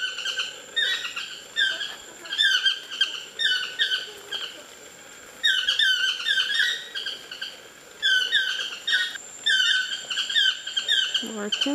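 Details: Toucans of the chestnut-mandibled kind singing from trees at Lapa Rios Ecolodge on the Osa Peninsula, Costa Rica: loud, yelping, harmonic notes in repeated bursts every second or two, with a steady high whine and a faint low sound at the end.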